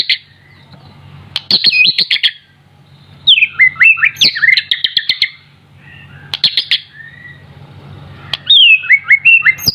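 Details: White-rumped shama, a youngster not yet in adult plumage, delivers bursts of bright, twisting whistled phrases separated by short silences, with sharp clicking knocks between the phrases.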